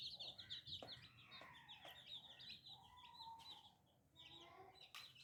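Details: Chicks, described as new little baby chicks, peeping in a dense chorus of short high chirps, with lower adult hen clucks and a few sharp knocks beneath.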